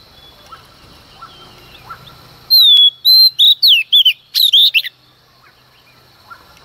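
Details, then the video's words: Female Oriental magpie-robin at dawn, singing to provoke males: one loud phrase of about six sharp, sweeping whistles delivered in quick succession, framed by soft background chirps from another bird. "Choè than mái hót kích trống hót căng sáng sớm"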